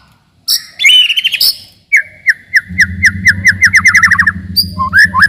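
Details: White-rumped shama song for provoking rivals and toughening young birds: sharp clicks and rattled notes, then a long steady series of quick whistled pips on one pitch that speed up and slide down near the end, over a low hum.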